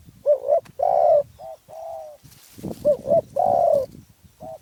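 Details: Spotted dove from Phrae, Thailand, cooing: low, mellow notes in two phrases, each a quick double coo followed by a longer drawn-out coo and a short final note, with a brief rustling noise between phrases.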